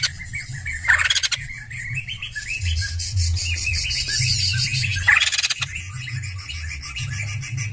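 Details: White-crested laughingthrush singing actively: rapid chirpy, warbling phrases with short rising and falling notes, broken by two loud harsh rattling bursts near the start and middle, over a steady low hum.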